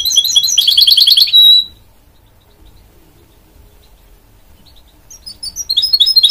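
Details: Mule bird from a goldfinch and canary pairing gives a rapid rolling trill ending in a drawn-out pure whistle, followed by several seconds of silence, then resumes with high twittering.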